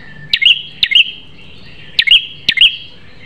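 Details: A prinia delivers sharp, piercing notes for use as a training song: four crisp clicks, each ending in a high bright chirp, in two pairs separated by a pause.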